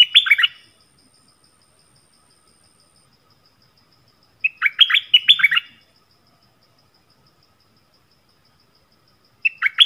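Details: Yellow-vented bulbul used as a decoy to attract wild birds, 20 March 2021, giving short gurgling song phrases of rapid liquid up-and-down notes, repeated about every four to five seconds with silence between.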